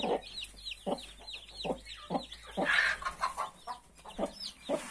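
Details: Mother hen clucking steadily, about one cluck every 0.8 seconds, while her 31 newborn chicks give rising and falling high peeps.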